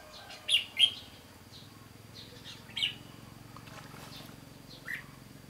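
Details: Red-whiskered bulbul, a 'bell voice' decoy bird, singing to draw in wild birds at a trapping site, 15 June 2016. Two quick clear chirps, then isolated bright notes spaced a few seconds apart over a low steady hum.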